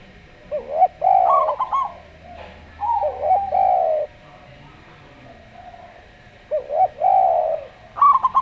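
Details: Local zebra dove (perkutut lokal) singing in a slow style: stuttered, clipped high coo notes in short bursts, alternating with lower, smooth, arched coos from a Javan derkuku dove with a calm voice; the two exchange phrases with quiet gaps.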